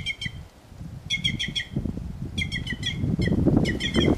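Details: White-naped jay singing in the wild, giving quick clustered runs of clear, slightly nasal notes, several per run, with brief pauses between, above a low background rustle.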